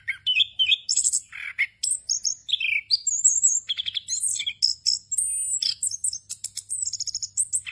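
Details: Continuous 'ngerol' song of an orange-headed thrush, full of fill-in phrases, played to train young birds to sing: a dense stream of sharp high chirps, buzzy trills and sliding whistles, barely pausing throughout.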